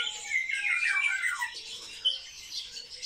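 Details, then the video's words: Captive sparrows chirp and squawk together indoors, loud overlapping high notes at first, thinning to scattered chatter after a sharp click midway. "Воробьи - Sparrow"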